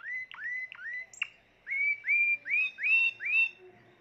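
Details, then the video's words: Timbrado canary, a caged bird recorded in 2020, singing a series of clear whistled notes, each sweeping down then rising, given in a steady run of about seven phrases with brief pauses. "تغريد طائر التيمبرادو"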